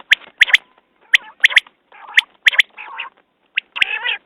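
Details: Common quail sounding its quick three-note phrases, interspersed with drawn-out nasal, buzzy notes that grow longer toward the end.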